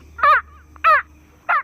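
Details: Keel-billed Toucan, a tropical rainforest bird, giving three harsh, croaking notes, roughly one every two-thirds of a second, over a faint low hum.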